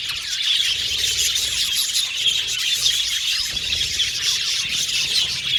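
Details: Australian budgerigars kept as an aviary colony, producing a thick layer of warbled chatter with occasional sharper squeals rising above the steady high-pitched flock noise.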